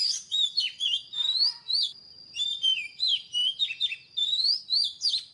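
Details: Oriental magpie-robin singing: a fast, varied run of sweet whistled phrases, rising slurs and scratchy chirps in rapid bursts, with a thin steady high tone held behind throughout.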